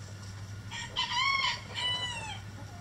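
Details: A rooster in a backyard coop with its flock gives a hoarse, multi-part crow. The middle syllable is long and arched, and the end trails off in a falling tone over a constant low mechanical hum.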